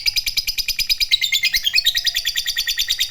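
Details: Vocal fighter lovebird in a ngekek panjang long trill, played as a lure for other lovebirds: a dense, unbroken, rapidly pulsed high chatter, about three pulses per second's tenth, steady throughout.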